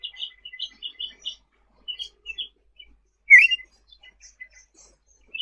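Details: Sooty-headed bulbul, masteran tutor audio of 'gacor' singing: a quiet run of quick repeated chirps, one louder rising whistle in the middle, then scattered soft notes.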